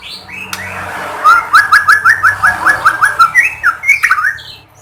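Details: Singing white-rumped shama meant to provoke others of its kind into song: about a dozen loud, evenly spaced chattering notes repeated quickly, followed by a few rising whistled slurs.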